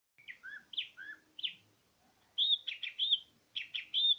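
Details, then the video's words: Greater green leafbird, cucak ijo, singing in full voice: bright whistled and slurred notes between mid and high pitch, a short run of phrases, a brief pause, then denser warbling notes repeated quickly. "Suara burung cucak ijo gacor"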